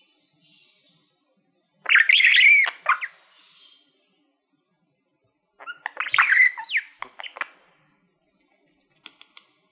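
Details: Male budgie kept as a pet, singing at a mirror-like silver plaque: two separate bursts of scratchy chatter and squeaky notes, each under two seconds, with quiet gaps and a few faint clicks.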